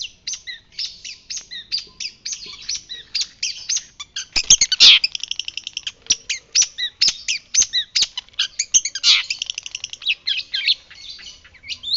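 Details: White-breasted shrike singing continuously as a training recording meant to make other birds answer: a dense run of rapid high chirps and buzzy notes, with louder harsh bursts around the middle, and no other clear sounds.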